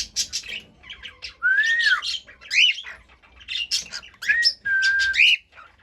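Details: Singing cockatiel gives long rising-and-falling whistles alternating with harsh chattering bursts and short upward-sweeping notes, repeated in phrases about a second apart.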